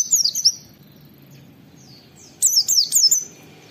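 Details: Oriental white-eye "wit wit" phrases from a tutoring recording meant to prompt caged white-eyes to sing; two bursts of high, thin downswept whistles in rapid series, with faint low background rumble.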